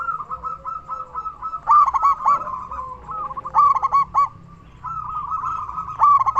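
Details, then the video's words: Zebra dove, local and a loud frequent singer, used to make other zebra doves sing: a steady pulsing coo trill, then three bursts of loud, clipped, bouncing notes. "Perkutut lokal gacor suara besar cocok untuk pancingan burung perkutut supaya bunyi"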